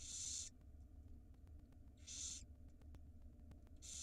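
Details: Hungry barn owl nestlings in an Israeli nest box at feeding time: loud, airy hissing screeches about half a second long, repeated roughly every 1.7 seconds, with a low background hum.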